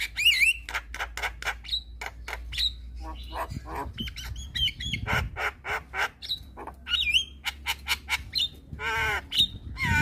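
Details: Black-winged starling song used to make other starlings sing: varied harsh squawks, rapid clicking runs and repeated downward-slurred whistles, loud and continuous over ten seconds.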